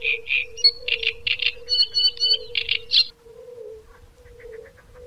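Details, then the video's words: Great reed warbler song: harsh, chattering phrases of repeated croaky notes for about three seconds, then fading to faint distant chirps, over a steady low hum. "Rákosník velký (Acrocephalus arundinaceus),Drosselrohrsänger,Great reed warbler"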